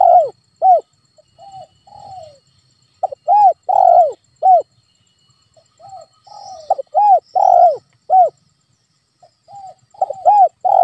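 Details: Repeated spotted dove coo phrases played to trigger a quiet pet dove: several sequences of hoarse, bowed coos with long swelling middle notes and soft trailing notes, about three phrases in eleven seconds.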